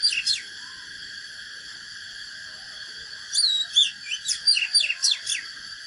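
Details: Oriental magpie-robin in fighting-song training, a brief note then, after a long silence, a lively phrase of whistles and quick descending slurs, with constant background hiss.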